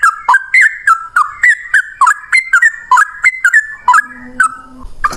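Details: Long, rapid fighting song of a yellow-vented bulbul, used as a lure to get other bulbuls singing. Quick chains of bubbly, warbling notes follow one another without pause. A low steady hum enters near the end.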